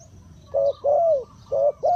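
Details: Decoy spotted dove calling to draw in wild birds: two pairs of mellow, low coos, the second note of each pair longer and gently falling.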